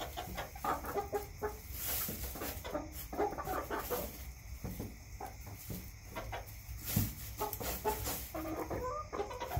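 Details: A backyard chicken flock kept for eggs clucks continuously, short choppy notes tumbling over one another, with occasional rustles and soft thumps in the background.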